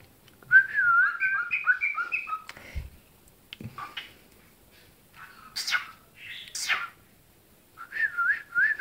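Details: Cockatiel named Koki whistles a quick, warbling tune of rising and falling notes, then breaks into short scratchy chatter, talking and saying its name.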